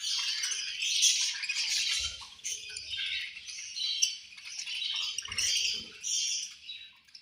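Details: At lunch time, agitated budgerigars chatter nonstop: sharp high chirps, rasping squawks and quick twitters layered together, with occasional soft taps in the background.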